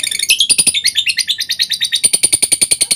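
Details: Lovebird chattering song as a lure to make lovebirds sing: fast string of buzzy, high chirps, about eight per second, falling then rising to a sharp metallic pitch.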